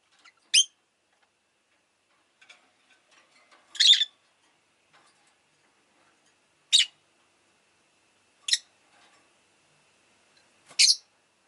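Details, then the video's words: Sharp, piercing chirps of a rosy-faced lovebird, five calls spaced about two seconds apart over near silence. "Lovebird Chirping Sounds"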